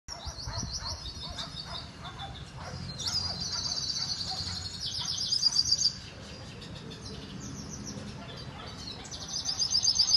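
A hooded siskin sings a long, fast, high-pitched twitter of jumbled trills and buzzy phrases with only brief pauses, over a faint low background hum.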